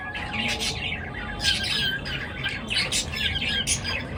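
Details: Several birds chirp in the morning, giving clustered bursts of bright, scratchy chirps with short gaps between bursts, over a low background rumble and a faint steady tone.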